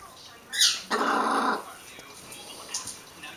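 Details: Young rooster learning to crow, his voice still changing: a short crackly squeak followed by a rough, raspy crow of under a second, then quiet background rustling.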